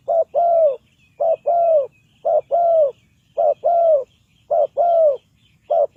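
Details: Lure spotted dove for bird trapping, cooing steadily: low two-part phrases, a clipped note followed by a long descending coo, repeated about once a second in a regular series, with faint thin chirps behind.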